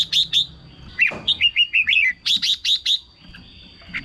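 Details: Red-whiskered bulbul kept in a cage, song used to rouse other birds: quick run of liquid downslurred whistles, then a rapid series of four sharp rising chirps, over a steady thin high hum.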